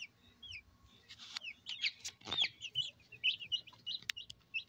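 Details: Brahma chickens at a breeding farm in Barreal de Heredia, Costa Rica: many overlapping high, thin peeps and short squeaky chirps, a few sharp clucks, low background hum.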